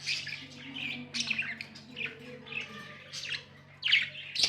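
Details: Budgies chirping in short scratchy bursts roughly every second, mixing squeaky notes and rasps, with a low hum and soft tonal background sounds.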